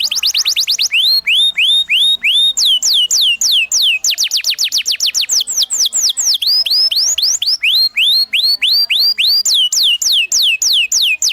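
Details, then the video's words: Master canary song for teaching young canaries, delivered in a rolling ngerol style. Quick bursts of falling whistles alternate with phrases of slower upward-curving notes, repeated steadily and loudly for over ten seconds. "PANCINGAN Kenari GACOR NGEROL Masteran Ampuh UNTUK KENARI PAUD BELAJAR BUNYI NGRIWIK"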